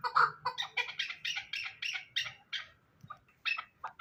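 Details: Hybrid chukar partridge, a fighting bird, gives a burst of harsh, rasping, rapid notes that trails off into a few scattered sharper calls with short gaps between them.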